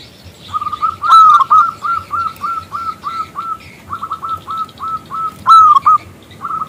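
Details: Loud, clear-voiced local zebra dove calling a male to sing. Long runs of quick, evenly spaced rolling coos are broken twice by louder, higher ringing phrases of a long note followed by short clipped ones.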